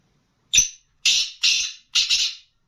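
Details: Female black francolin (kala teetar) calling: four harsh, scratchy bursts in quick succession, the first short and sharp, the next three longer and rasping, spaced about half a second apart in a quiet indoor setting.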